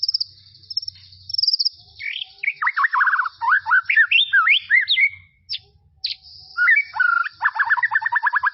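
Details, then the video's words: White-rumped shama song recorded in tropical forest. A thin, high whine leads into a tumbling, varied series of fluty whistles and slurs, brief pauses, then a rapid stuttering trill of repeated notes. "BEST SUARA KICAUAN MURAI BATU HUTAN TROPIS"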